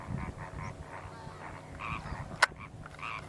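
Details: Greater flamingos feeding on a lagoon between Narbonne and Perpignan, France, with many birds present: nasal, honking calls in short bursts, some croak-like, over low rumbling wind noise.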